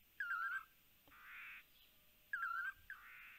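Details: Lance-tailed manakins calling in Panama, picked up by a live camera: a warbling, whistled phrase with a quick wavering pitch, given twice about two seconds apart, each followed by a softer buzzy, hissing sound.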